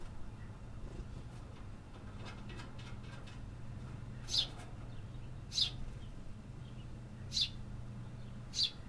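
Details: City birds singing in an urban setting: four short, high chirps spaced one to two seconds apart in the second half, faint over a steady low hum.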